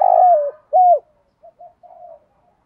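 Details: Spotted dove coos meant to stimulate other doves, in the 'thúc gù' and 'gáy gọi' styles. Two strong, low descending coos followed by a few faint short murmurs.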